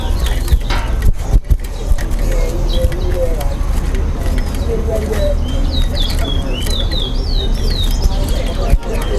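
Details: Towa towa, the chestnut-bellied seed finch, in a Linden bird club whistling contest between two birds: scattered chirps, then a quick run of sharp, bright slurred whistles later on, with crowd voices and low background hum throughout.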